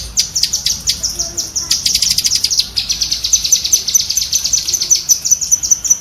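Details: Pet-bird training audio of a cucak kinoi bulbul: fast, piercing chatter of clipped high notes in quick succession, about six seconds without pause.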